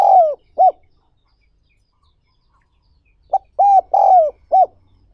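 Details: Spotted dove calls, made for training decoy birds. A phrase ends, there is a long silence, and then a full phrase follows: a brief note, two drawn-out arched coos and a final short coo, all low and mellow.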